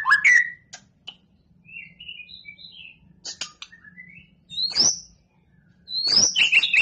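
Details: Contest-bound white-rumped shama (murai batu) singing a varied sequence: a loud rising opening whistle, soft warbled notes, sharp clicks, then high upward sweeps and a dense closing flourish.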